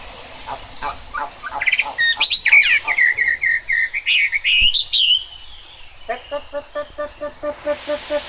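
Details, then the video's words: Chinese hwamei singing in the rain, pouring out a varied run of loud whistled slurs and sweeping notes, then switching to a steady series of short, lower, rich-toned notes repeated about twice per second. "Họa mi hót trong mưa"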